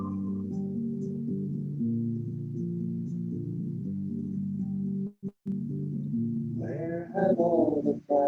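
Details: Sustained low synthesizer music with layered drones, a brief dropout, then a few bursts of other harmonic tones near the end; no animal sound.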